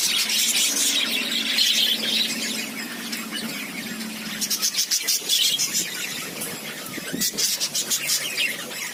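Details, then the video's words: Lovebirds give high, squeaky chirps over a low steady hum at first, then the chatter breaks into quick clipped ticks and clicks repeated rapidly in the second half. "Love birds 🐦 happiness"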